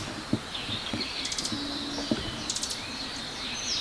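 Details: Eastern crowned warbler singing in a dark forest before dawn, 30 May 2019, Mt Shiraki, Hiroshima: two quick bursts of high, rapid buzzy notes; thin high calls between, from near the ground, possibly its unseen chick or fledgling; scattered low clicks.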